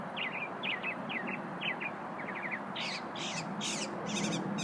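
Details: Unidentified small songbird heard during a lunch break, giving a run of harsh, buzzy chattering notes that end in louder grating bursts, all over a steady low background rumble.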